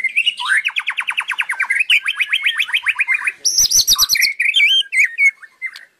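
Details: White-rumped shama (murai) in unbroken gacor song: two rapid trills of clipped repeated notes, then a burst of sharp clicks, followed by liquid looping whistles that waver up and down before a final short note.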